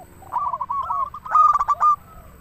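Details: Local zebra dove in song: a soft rolling murmur of coos, then one loud, sharply clipped phrase ending in a level trill.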